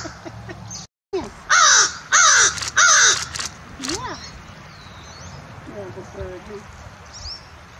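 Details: A captive, talkative American Crow kept as a bird ambassador alongside a Peregrine Falcon gives three loud, harsh caws about a second apart, then a softer fourth call, before faint background chatter.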